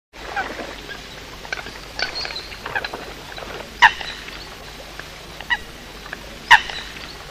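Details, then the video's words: Eurasian coot calling at night near the end of the 2020 season, possibly linked to night bird trapping: sharp, explosive single notes every second or two, with softer clipped calls between them over a steady hiss. "tiếng sâm cầm đánh đêm"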